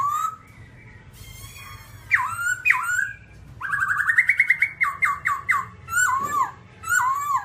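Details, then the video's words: A babbler, described as all black, delivers a rich song of rising whistles, repeated downslurred notes in quick succession, and harsh, buzzy overtones, with a constant low hum in the background. "birds Timaliidae singing"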